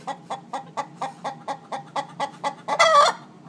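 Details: Backyard hens doing the egg-laying song while nest boxes are occupied, several joining in: a steady run of short clucks about four per second, ending in a loud drawn-out squawk.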